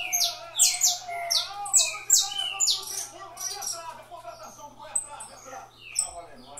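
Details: Saffron finch from a breeding aviary sings a quick run of sharp, high, down-slurred chirps, loud for about three seconds, then softer and scratchier, over a faint steady hum.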